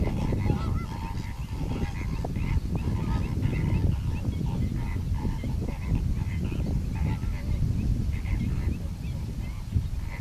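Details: A flock of greater flamingos (Phoenicopterus roseus) gives a steady chorus of nasal, goose-like honks and gabbling calls, over a heavy low rumble of wind or background noise.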